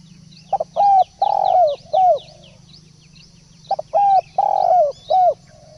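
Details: Spotted dove calls used as a decoy to lure birds: two phrases, each a short stuttered double note followed by three mellow, slightly falling coos, the middle coo longest. A steady electronic hum runs underneath.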